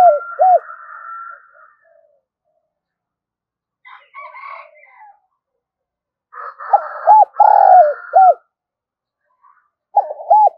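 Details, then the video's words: Spotted dove cooing continuously and loudly. Deep, hollow, looping coos come in pairs and triplets in separate bursts, overlapped by a harsher rasping sound, with silent gaps between phrases. "tiếng gáy gọi vang cả xóm"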